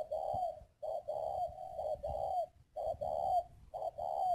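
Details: Captive decoy spotted dove, Ba Vì, Hanoi, Vietnam, repeating low mellow coos about once a second, each a short note run into a longer drawn note, with a faint steady hum in the background.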